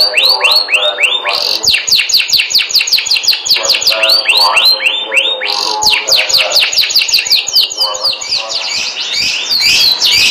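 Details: Canary song with series of rapid descending whistled notes, rolling trills and repeated tours changing every second or two, loud and continuous throughout.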